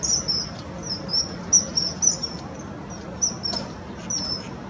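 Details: Common kingfisher (Alcedo atthis) calling to its mate on the Pisuerga river, Valladolid: about eight thin, shrill, very high whistles in under five seconds at an uneven pace, over soft rushing background where mallards and a green woodpecker are said to be audible.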